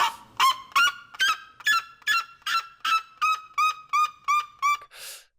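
A Red-legged Seriema gives a fast series of about thirteen loud, harsh yelps, nearly three a second, like a manic laugh or barking dog; a brief rush of noise follows.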